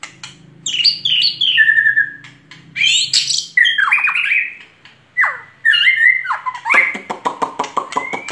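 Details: Energetic white-rumped shama song of varied whistled phrases, downward-sliding notes and sharp chirps, ending in a fast series of rapid clicking notes.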